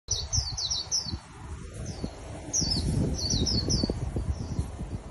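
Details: Wild-caught white-eye kept as a caged songbird, singing bright, high chirps in quick descending slurred bursts of three to five notes, with a pause between bursts over low rumbling background noise.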